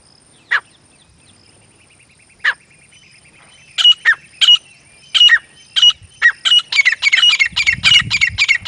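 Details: Grey francolin pair, male and female: two isolated sharp notes several seconds apart, then harsh calls that quicken into a dense, overlapping burst at the end, with a brief low rumble.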